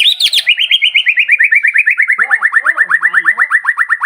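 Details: White-rumped shama song for provoking other birds in the morning: a fast, steady trill of repeated rising notes, nearly three per second, slightly falling in pitch, with a lower chattering note underneath.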